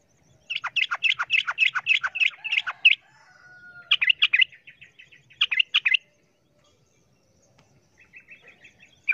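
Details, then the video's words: Sooty-headed bulbul giving a noisy, rapid fighting-style call against a wild bulbul: quick bursts of chirpy notes, a run of about ten, then shorter clusters with pauses and a faint thin trill at the end. "Suara trucukan ribut Garuda ropel tarung vs trucuk Liar bikin trucukan lain ngamuk kepanasan"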